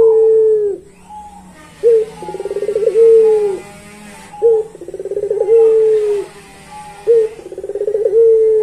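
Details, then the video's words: Long-voiced pelung Barbary dove cooing in three cycles: a rapid rattling burst of pulses flows into a sustained, slightly falling hum-like note, about every two and a half seconds. "Puter Pelung Suara Panjang"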